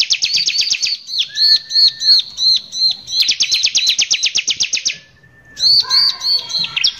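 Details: Bar-winged prinia in full song, a lure recording meant to provoke other prinias: rapid high buzzy trills of repeated notes alternate with arched whistled notes and a lower drawn-out whistle, with a brief pause near the end.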